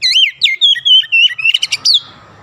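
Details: Short stretch of kacer (Oriental magpie-robin) song in the nembak style: clear swooping whistles followed by a quick stutter of sharp, piercing notes, ending in a low background hum.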